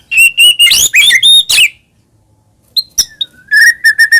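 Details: White-rumped shama song serving as a lure for caged birds: steady clear whistles and twisting phrases, a pause, then a string of short repeated whistled notes.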